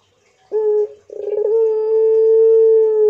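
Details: Barbary dove of the pelung kind starts with a short clear note, then a fast throbbing rolled coo that smooths into a long, steady, even tone held to the end.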